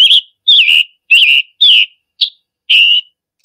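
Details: A Scarlet Tanager calling in summer in the woods gives six hoarse, burry notes at an uneven pace over a few seconds, each a sharp start slurring into a buzzy tail, with no other sounds.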